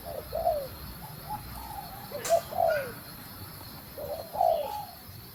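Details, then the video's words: Female spotted dove calling to stimulate the male: soft, low cooing notes in short phrases, each a brief rising-then-falling coo, repeated with pauses, over light background hiss and a brief sharp click. "Cu Gáy Mái Thúc Gù Kích Trống Ức Chế | Tiếng Chim Cu Mái Gáy"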